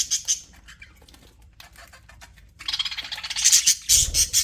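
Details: Pet budgerigars in an aviary, happy and chattering: faint scratchy ticks and chirps at first, then a loud, dense, buzzy, high-pitched warble of rapid notes for the second half.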